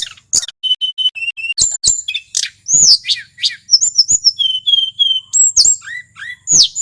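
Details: Merapi male mountain tledekan in varied full song used as bait: level whistled notes, rising squeaks, clicks and sharp high chirps in fast succession.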